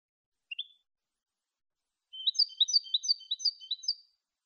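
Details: European goldfinch singing clean malagueño-style song, recorded for teaching other goldfinches: a lone high chirp, a pause, then about two seconds of rapid, high, twittering notes repeated in quick alternating pairs, with no other sounds.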